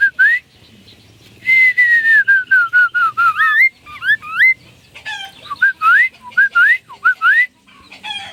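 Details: Chinese hwamei song: loud clear whistled notes, rising slurs, then a long series of notes stepping steadily downward, followed by looping whistles and more rising phrases over a faint low hum.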